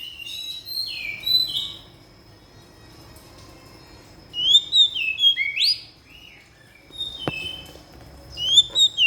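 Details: White-rumped shama singing loud 'isian' filler phrases: rich whistled swoops and slurred notes in bursts of two or three seconds, separated by quiet pauses, with one sharp click partway through.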